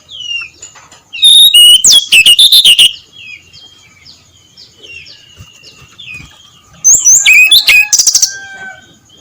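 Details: Early-morning ngeplong song from a brown-chested jungle flycatcher: two vigorous phrases of quick, piercing whistles that tumble downward in pitch, with fainter high chirps and slurred whistles filling the gap between them.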